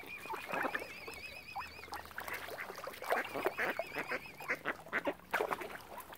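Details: Ducks crowding around a swan family on Lough Neagh at Oxford Island, Ireland: a flock of rough, overlapping quacks in quick irregular bursts, with thin wavering whistles running across the first two seconds and again near the middle.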